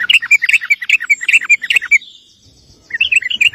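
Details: Sooty-headed bulbul singing in the rapid, continuous 'gacor ngeropel' style, recorded as a lure to make other bulbuls answer: bubbly, quick chains of warbled notes, a short pause, then the lively phrases resume.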